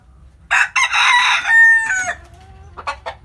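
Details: Hometown rooster in Vietnam crowing at daybreak: a loud, coarse cock-a-doodle-doo held for about a second and a half, ending in a drawn-out sliding tone, then a few short soft clucks.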